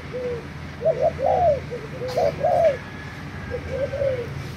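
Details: Spotted dove (Spilopelia chinensis) from Thailand, a lure bird, recorded 3 March 2018, gives soft, low, hollow coos in short rounded phrases of two or three notes, about every second or two over a steady low rumble.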